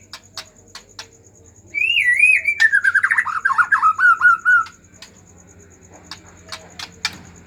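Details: White-rumped shama in agitated song meant to stir silent shamas into singing: a long warbling whistled phrase, wavering and gently falling, framed by sharp clicking ticks.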